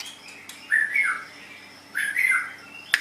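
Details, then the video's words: Pet white-rumped shama giving two short bursts of squawky, slurred notes about a second apart, indoors with a steady low hum. "Suara Burung Murai Batu"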